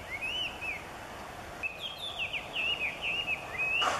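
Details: Near Niiharu Citizens' Forest in Japan, a Chinese Hwamei sings loudly in the morning: one long wavering whistle, then a rapid chain of bright, jerky up-and-down slurred notes ending in a rising whistle, over steady low hum.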